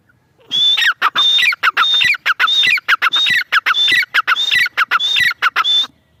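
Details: Grey francolin female calling: a strong sequence of harsh, buzzy phrases, each ending in a rising whistled note, repeated steadily about twice per second.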